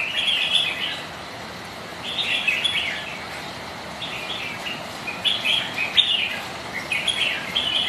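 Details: Red-whiskered bulbuls sparring in rainy, gusty weather; short clusters of bright chattering chirps repeat every second or two, half buried in steady rain noise.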